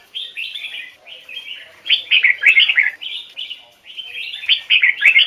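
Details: Red-whiskered bulbul in the standard double-note Hoài Sơn forest style; distinct separate phrases of clear, bouncy whistles, soft at first, then a run of loud rapid notes and more bursts near the end.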